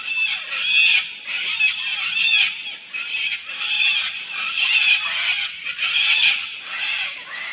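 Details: A wild colony of sulphur-crested cockatoos gives a continuous chorus of harsh, rasping shrieks from many birds at once, overlapping and swelling in loudness about every second, with no quiet gaps.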